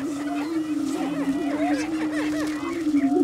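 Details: Several prairie chickens performing a mating dance on a lek near Dilworth, Minnesota, at Bluestem Prairie: deep sustained droning boom beneath a quick run of falling cackles and whooping yelps.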